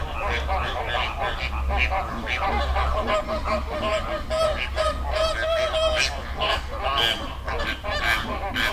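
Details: Flamingos as a flock in a Dominican Republic river, loud goose-like honks and drawn-out nasal notes crowding together, some clearer calls standing out, with low rumble underneath.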